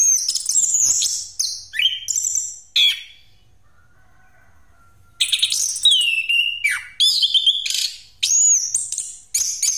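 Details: Orange-headed thrush rolling song for luring birds: varied loud whistles and chatter, then about two and a half seconds of near silence with a faint low tone, before the rich, high phrases resume.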